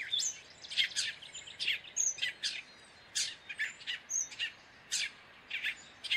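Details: Gray catbird giving a rapid series of sharp, clicky chirps and scratchy notes, about two per second, mixed with thin high whistles.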